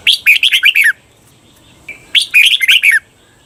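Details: Caged red-whiskered bulbul giving a Thai 'berl' training song. Two short, bright warbled phrases of six or seven notes each, about a second long, separated by a pause. A brief thin tone leads into the second phrase.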